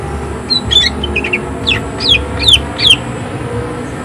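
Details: Greater green leafbird singing hard with harsh 'shot' notes: a few soft chips, then five loud, steeply descending high slurs spaced about every half second, over a faint background hum.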